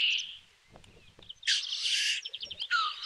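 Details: Black grouse lekking and fighting at the lek in Kuusamo, May 2021, in snow: loud, harsh broadband hissing sneezes, one lasting almost a second and another starting near the end, with a faint low bubbling between them.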